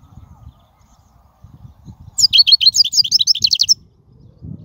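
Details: Wild European goldfinch song meant to teach fledglings: after quiet low rumbling, a lively string of high, liquid, tinkling twitters about a second and a half long, closing with a short buzzy note.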